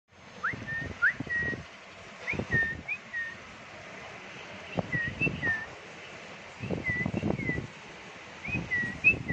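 A young bulbul gives short, clear whistled notes, some rising and some falling, in loose groups, over bursts of low thumping and rumbling noise.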